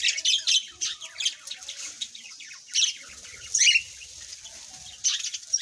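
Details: Bright, high-pitched tweets from birds in quick clusters, then scattered single chirps with short pauses between them.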